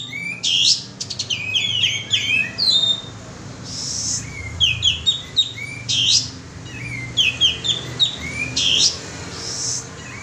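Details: Lure call of the sooty-headed bulbul, with clusters of rapid, bright chirps and short downslurred whistles repeated in phrases every couple of seconds, mixed with brief hissing noise bursts.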